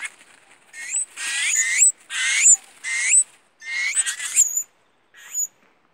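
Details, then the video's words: Hand-reared baby tuis at a bird rescue beg while being fed, with loud raspy bursts lasting about a second each, laced with high whistles, then a shorter final call after a pause. "Feeding baby tuis"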